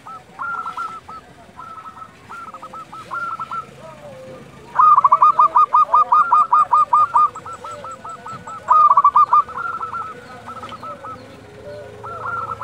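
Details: Zebra doves of local stock calling at dusk as a lure: many overlapping birds repeat quick cooing trills, with two loud near runs of rapid, evenly spaced notes standing out.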